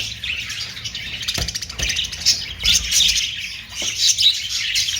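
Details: Budgerigars (Australian parrots) chattering in a rapid, buzzy warble, high squeaky notes rising and falling in waves, with a few soft knocks and a low background hum.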